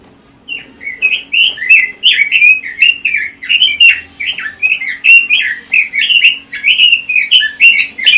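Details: Long lively song from a Pekin robin, rapid chains of short whistled notes repeated in quick bursts for about eight seconds, bright and fluty with occasional high ticks.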